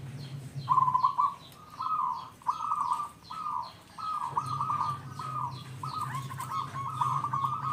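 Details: Local wild-type zebra dove, singing strongly to lure others: a run of about ten rolling coo bursts, evenly spaced, over faint repeated high chirps and a steady low hum.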